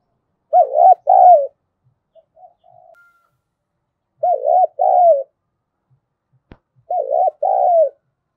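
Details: Spotted dove (cu gáy, thổ voice style) cooing as a decoy lure to provoke other doves to call: three soft, low, two-part cooing phrases spaced a few seconds apart, with a faint mumbled note between and one sharp click.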